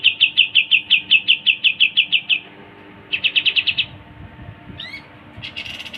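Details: Pied triller song: a long fast trill of even high notes, a shorter burst after a pause, then a quick pair of rising slurred whistles and a final buzzy rattle.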